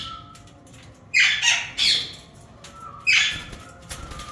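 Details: Breeder pair of yellow Indian ringneck parakeets giving three harsh, broadband screeching squawks in quick bursts, separated by short pauses, with a faint thin whistled tone between them over a quiet background.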